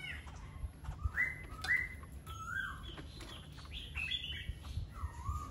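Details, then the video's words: Laughingthrush delivering short whistled phrases: rising and falling slurred notes in quick succession, some paired, ending on a lower downward whistle, with faint rumble in the background. "Khướu Hót"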